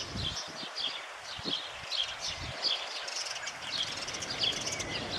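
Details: Dawn chorus of birds on a May morning: several birds give high, short chirps and twittering notes at a steady pace over a constant soft hiss of background noise.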